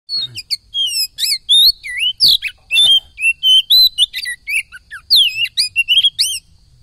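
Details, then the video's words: Oriental magpie-robin song: a rapid, varied run of loud, clear whistled notes, slurred upward and downward sweeps and short chirps, delivered in quick bursts with tiny gaps over near silence. "Superfit gol mantap loooor bikin gacor kacer"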